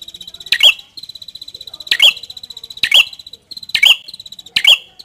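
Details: Red-headed prinia in Indonesia singing a repeated high chirp around four times in five seconds, each a sharp bright note ending in a short trill, with a faint rapid ticking buzz between phrases.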